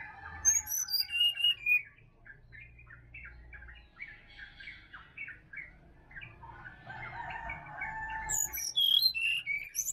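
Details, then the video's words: Morning forest chorus in Bali featuring the sirdadu: sharp high whistled notes descending in a ladder at the start and again near the end, separated by dense chattering chirps and squawky calls of other birds. "SUARA ASLI HUTAN SRDC BALI"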